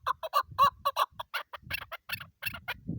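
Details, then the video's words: Female chukar partridge uttering quick, harsh clucking notes in an uneven rapid sequence, some notes rising sharply, with faint low handling noise underneath. "shikari chakor ki awaz keklik sesi chakor birds"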